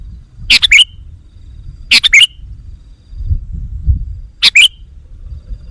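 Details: Lure call of a sooty-headed bulbul, played to draw in wild birds: three brief, bright chirping phrases, each a fast bubbly two-part note, separated by gaps of over a second, with low rumbling noise between.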